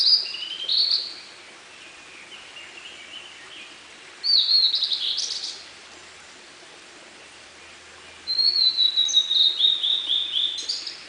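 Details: Singing blue-and-white flycatcher in dim forest at Munakata, Japan, May 2013, delivering three separate high whistled phrases a few seconds apart, including slurred descending notes, a softer low warble and a rapid trilled run ending in a flourish.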